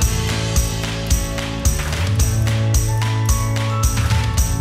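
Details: Rhythmic music with a steady beat and sustained low bass tones, with no animal voice present.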